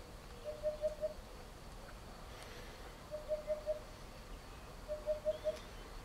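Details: A Eurasian hoopoe at Chieri, Piedmont, Italy, gives soft, low, hollow 'oop-oop-oop-oop' phrases of four quick notes, repeated about every two seconds over a quiet rural background.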